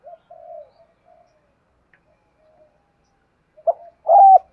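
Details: Spotted dove used as a decoy to draw in wild doves, calling in the thúc gù style. Quiet, sparse soft murmurs give way to a burst of a short note and a loud, drawn-out hooting coo.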